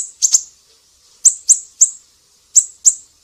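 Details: Thin, piercing siri-siri notes meant for teaching cucak ijo, murai batu and kacer: a quick pair, a pause, then three evenly spaced chips and a closing double.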